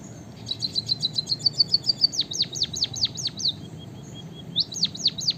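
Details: Song of a white-headed munia, known locally as emprit kaji or bondol haji: quick high clicks speed into a string of drooping whistled slurs, then a thin level tone and more falling sweeps.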